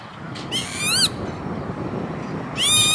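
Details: Lapwing near Veenendaal, Netherlands, industrial area, late May 2013, giving two hoarse, rich, rising-then-bending calls about two seconds apart against a constant low rumble.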